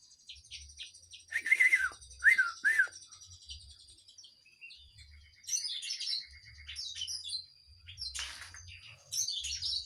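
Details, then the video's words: Kinoi singing actively: a thin, steady high tone runs beneath paired loud whistled chirps, followed by quieter gaps and then clusters of rapid, buzzy, high-pitched twittering. "Kinoy gacor"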